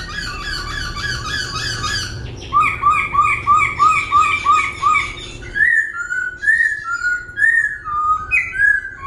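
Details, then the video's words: Laughingthrush kept in a cage, singing and dancing with constant voice changes: dense harmonic chatter, then a run of about eight evenly repeated whistled notes, followed by varied rising and falling whistles at a steady pace. "Khướu vừa hót vừa múa , Đảo giọng liên tục"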